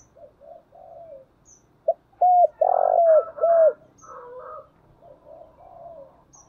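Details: Decoy spotted dove: soft low coos build into a loud phrase of a sharp note, arched coos and a drawn-out coo, then fade into quieter cooing, with faint high ticks in the background.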